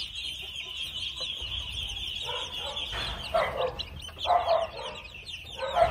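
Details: Red junglefowl chicks aged two months peep steadily in a high thin band, joined in the second half by several louder, rougher mid-pitched bursts.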